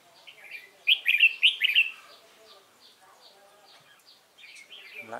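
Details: Red-whiskered bulbul, a wild-caught cage bird, recorded 22 October 2018 in sunny, chilly weather. It delivers one loud, quick phrase of liquid whistled notes, with soft chips before and after and a man's voice at the very end.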